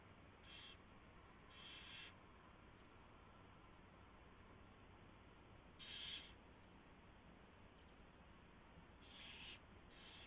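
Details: Owl at the nest in the early hours, 4:21 AM on 24 February 2016, during mouse delivery and feeding; scattered short rasping hisses in pairs and singles, one louder burst near six seconds, over faint hum.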